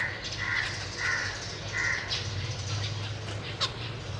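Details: Caged zebra finch family, parents and six young birds, on 31 March 2023 during chick feeding; three buzzy nasal notes repeated about every half second, then a single sharp click, over a steady low hum.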